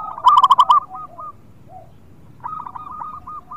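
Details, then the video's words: Local zebra dove lure song for birds unwilling to sing: a single loud, rapid rolling coo burst, then a softer run of repeated coo notes from another dove. "Perkutut Lokal gacor Suara Indah Coco buat pancingan yg lagi malas bunyi"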